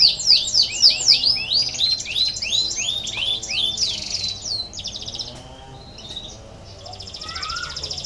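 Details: Canary song meant to prompt lazy canaries to sing: quick high swooping notes in a rolling trill, then buzzy phrases and a thinner, fading trill with a brief lower whistle near the end.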